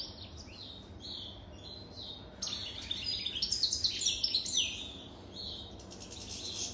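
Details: After a quieter start, a three-plus-year-old European goldfinch (jadr) breaks into a loud, rapid cascade of tinkling, buzzy twitters before easing off.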